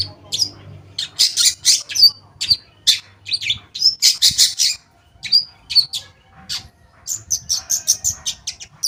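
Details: Long-tailed shrike song intended to trigger singing in silent shrikes: long rapid sequence of harsh, buzzy chatter mixed with high whistled slurs, in dense clusters with brief pauses.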